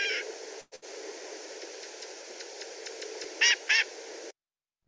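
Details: 3 Black-capped gnatcatcher (Polioptila nigriceps) giving two short, nasal, mewing calls in quick succession, plus a fainter one at the start, over a steady background hiss.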